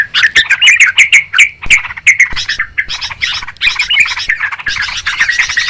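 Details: Yellow-vented Bulbul giving a noisy, agitated chatter, played as a lure for trapping birds: rapid harsh, scratchy notes around a steady mid-high pitch, packed several per second with short breaks.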